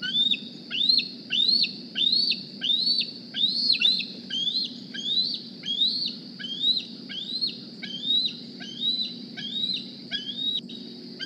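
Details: Juvenile bald eagle from the 2020 Decorah nest squeeing for a meal after flying in one morning: a long, insistent series of about sixteen piercing rising whistles with quick downward tails, roughly one every 0.7 seconds.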